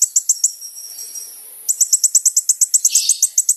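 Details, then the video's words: Sunbird called kolibri ninja singing, used as a lure: high ticking notes, a brief thin pause, then a steady fast series of sharp high ticks ending with a short lower warble. "SUARA BURUNG KOLIBRI NINJA GACOR"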